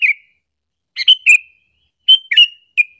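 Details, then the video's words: Sooty-headed bulbul giving a call used for luring other bulbuls into anger: clipped chirps, each ending in a short descending whistle, grouped in twos and threes with brief pauses. "suara panggilan burung kutilang alasan untuk pikat"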